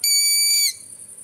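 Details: Long-eared Owl fledgling, a chick recently out of the nest, gives a single shrill, squeaky, harmonic-rich begging call lasting about two-thirds of a second, typically heard in the evening, then quiet background hiss.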